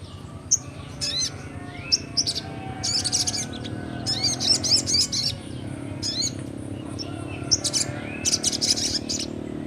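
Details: Young sogon singing in ngleper style, used to stimulate birds slow to sing: clusters of sharp, high twittering notes and short buzzy trills repeated through the clip above a low steady hum.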